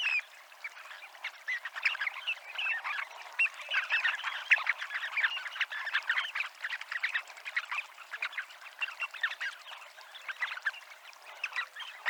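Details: Dunlin gathered at the promenade in Abruñeiras, Noia, Ría de Noia, producing a long, unbroken murmur of rapid, overlapping short rasping notes and chirps, rising and falling slightly in loudness throughout.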